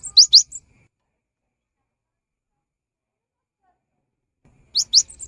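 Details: Gelatik batu, or cinereous tit: a short pair of high, quickly rising whistled notes with a faint trailing chip, long silence, then the same doubled phrase again.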